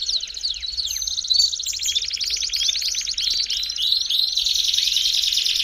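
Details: Belgian canary warm-up song opening with a few falling whistles, then settling into a long, even, metallic rattle-trill with faint chirps on top.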